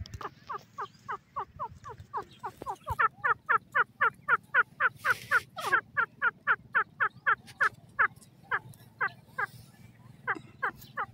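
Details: Grey francolin, known in Hindi as bhura teetar, calling in a long, fast series of sharp, rising notes, about four per second, which grow louder after the first few seconds. A low hum runs underneath.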